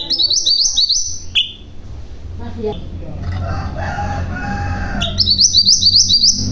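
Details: Common iora, known as mantenan gunung, opening and closing with quick rolling trills of high stepped notes, with one sharp whistle between them. The middle is filled with low rumbling background noise.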